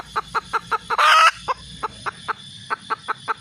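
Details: Red junglefowl hen clucking rapidly and regularly, the run interrupted by a single loud, harsh squawk a third of the way through before the clucks resume.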